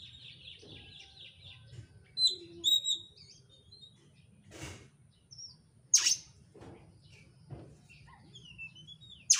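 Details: Oriental magpie-robin provocation song, fast and densely filled, meant to draw another bird into song. A rapid repeated high trill opens, followed by clear whistled slurs and sharp ringing notes over a low background hum.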